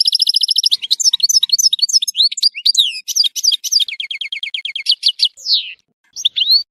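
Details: Goldfinch from Tissemsilt pouring out a continuous high song: fast trills, mixed twittering phrases, a long run of repeated notes, and a drawn-out descending slur near the end.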